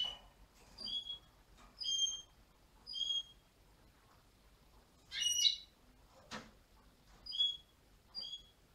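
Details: Gloster canary in Poland singing clear whistled notes repeated roughly once a second, broken by a brief burst of rapid twittering midway, against a quiet background.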